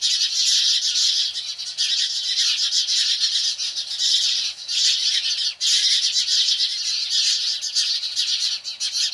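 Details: House sparrows in alarm over a Cooper's hawk: a steady, loud din of overlapping harsh chirps, fast and rattling, with almost no pauses throughout.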